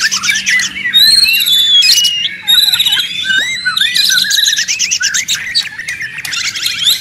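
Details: Oriental magpie-robin (murai batu) singing loudly as training audio for songbirds: high whistled notes, fast buzzy rattles and dipping slurs, delivered in uneven bursts.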